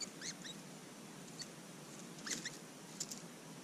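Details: Willie Wagtail fledglings near Mannum, South Australia, filmed up close and very animated on a GoPro Hero 5; short, sharp chirped notes arching up and down, scattered singly and in quick pairs across a few seconds over soft steady background hiss.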